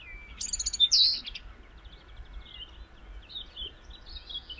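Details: European robin (Erithacus rubecula) song in spring: a bright, high twittering phrase, a pause, then softer thin warbles over a faint low rumble.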